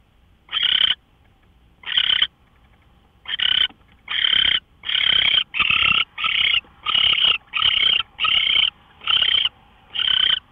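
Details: Owl at 5:27 AM, 24 March 2013, uttering a quickening series of about twelve harsh, breathy hisses, spaced well apart at first and then coming nearly every half second.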